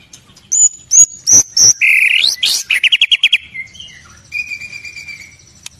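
White-rumped shama in a rich, varied song: clear high whistles, a rising sweep, then a fast run of rattling notes and long drawn whistles.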